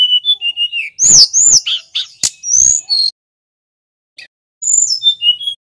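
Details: Snowy-browed flycatcher singing energetically, played as a training lure for other songbirds: thin high whistles and sliding notes, rapid chirps and a sharp click, a pause, then a burst of descending whistled phrases.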